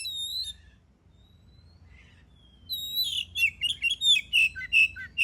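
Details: Oriental magpie-robin song meant to trigger other birds to sing: a whistle, a long quiet gap with a faint slurred note, then a lively run of rapid warbled chirps.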